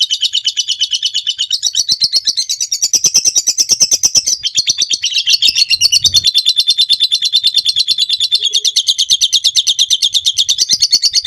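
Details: Extended ngekek trill of a lovebird for training birds: eleven seconds of steady, fast, harsh chattering pulses, pitch wavering slightly, with a faint low knock midway.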